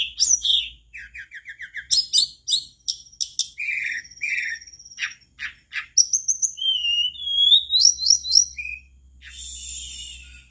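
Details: Varied song of a mangrove blue flycatcher, used to coax other birds to join: a fast series of repeated short notes, sharp clicks, scratchy phrases, a long thin whistle, then sweet rising whistled trills.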